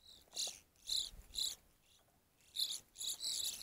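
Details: Evening grosbeak at a feeder uttering loud, clear, slightly burry high calls in two bursts of three, about two notes per second, separated by a brief pause.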